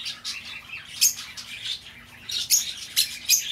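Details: Escaped-bird lure sound of a lovebird: sharp, piercing chirps, one at one second, then a rapid cluster of four shrill notes in the final second, with soft chatter in between.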